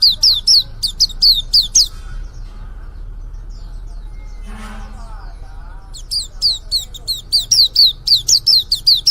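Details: Young white-eye just beginning to sing, giving sharp, high, down-slurred chirps in quick runs, broken by a short pause with a brief lower sound mid-way, then resuming in a faster burst of repeated notes.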